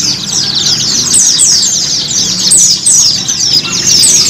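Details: High, continuous twittering white-eye song used as therapy to encourage kept birds to sing and open their beaks, quick descending chirp bursts run together without break, faint hum and distant rumble below.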